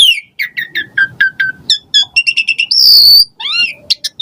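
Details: Varied song of an Asian pied starling, played to prompt caged birds: rapid series of short falling whistles, then a long shrill held whistle and rising slurred notes, all loud and clear.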